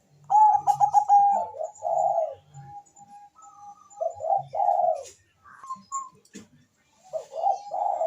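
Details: Zebra dove of the Bangkok type in full voice, answered by a rival: a rapid stutter of clipped notes, a thin drawn-out tone, then rounded purring coos, pausing before the next rolling phrase.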